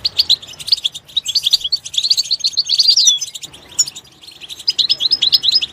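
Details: Goldfinch song recorded in natural surroundings: lively, high-pitched twittering with quick chirps and a few longer whistled slurs, a short lull, then more rapid notes.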